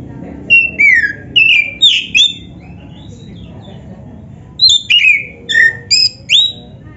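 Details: Oriental magpie-robin of the black-breasted type in gacor song, meant to stimulate other birds of its kind: clear ringing whistles that mostly slur down, in two dense bursts with a quiet gap of about two seconds.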